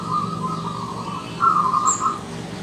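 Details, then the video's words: Morning song of a wild Zebra dove: two runs of quick, purring coo notes, the second louder, over a constant low mechanical hum and one brief high chirp. "Perkutut Lokal Alam Manggung di Pagi Hari"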